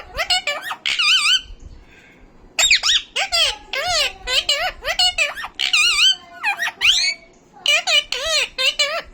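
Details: A pet talking parrot chatters in a rapid run of high, wavering, speech-like notes with warbling pitch swings and short whistled bursts. There are brief pauses between the phrases.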